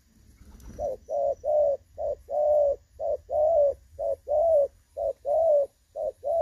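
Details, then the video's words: Clear-voiced "đồng son" spotted dove used as a trapping decoy, 16 August 2024: a steady run of low coos, short notes alternating with longer drawn-out ones, roughly one per second, with quiet room hum behind. "ĐỒNG SON | Giọng trong nghe hay"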